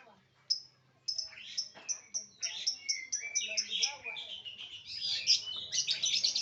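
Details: Lovebird producing a steady run of short, piercing high chirps that speed up into dense, excited chattering and squeaky twitters toward the end.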